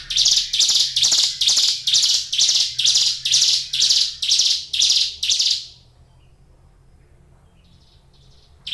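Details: Caged Brown Prinia (ciblek gunung) singing vigorously: a run of about ten harsh, buzzy, high notes repeated roughly twice per second, ending abruptly after five seconds, then near silence with a faint high note.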